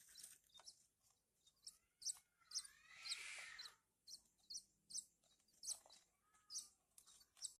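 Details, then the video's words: Horsfield's bush lark chicks being hand-fed give regular sharp high chirps about twice a second, with a louder burst of noisy chatter midway and faint rising whistles in the background. "cara meloloh anakan burung branjangan"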